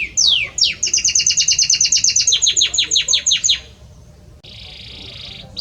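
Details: Belgian canary male singing persistently to the female: a downward sweep, then a long fast series of repeated dropping notes, a pause, and a level buzzy trill.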